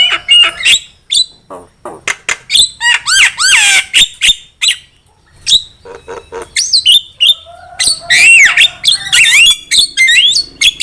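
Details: Lure recording of a Javan myna in full song for bird trapping: rapid, varied phrases mixing rasping squawks, clicks and sliding whistles, delivered in quick bursts with brief pauses.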